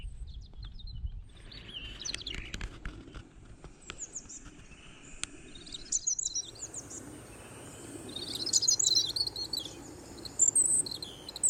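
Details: Wild European Robin singing up on its perch on a morning outing: high, thin warbled phrases of varied short notes, separated by pauses, with light rustling and handling noise at the start.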